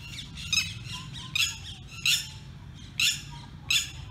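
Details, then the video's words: A red-wattled lapwing gives harsh, strident squawks in short bursts, about every second or so, over a low background rumble. "Red-wattled Lapwing Sound | Vanellus Indicus Sound | टिटहरी"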